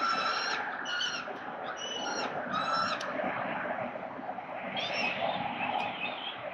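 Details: Peregrine falcon at the nest on a Melbourne building, Australia, recorded 13 November 2022: a series of harsh, strongly harmonic wailing calls, several in the first three seconds and more near five seconds, over loud steady city rumble.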